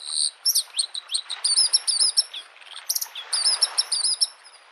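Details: Lakeside Bluethroat singing in spring: a varied, chattering phrase of high chirps and slurred notes, with a brief buzzy burst midway and quick repeated notes, over soft wave sounds.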